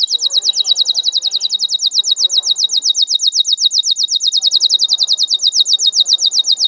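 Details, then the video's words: Domestic canary singing a long lure song for young birds to learn from: a rapid, even, high rolling trill of repeated notes held throughout, with faint low murmuring voices in the background. "Kenari Gacor Pancingan Kenari Terbaik untuk Kenari Paud belajar Bunyi | Full Isian Panjang"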